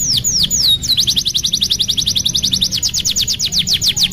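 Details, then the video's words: Canary song used as a tutor recording for young canaries learning to sing: a few long, high downward-sweeping whistles, then a rapid, even trill of steeply falling notes, roughly four per second. "MASTERAN KENARI PAUD BELAJAR BUNYI | CANARY SINGING"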